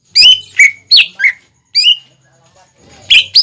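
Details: Greater green leafbird singing as a training lure for young birds: a few loud slurred whistles in quick succession, a long pause with faint rustling, then notes resume.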